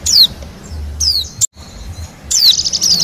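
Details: Wild Bali white-eye lure recording: thin, high whistles sliding steeply downward, a brief cutout, then a short burst of fast, high twittering.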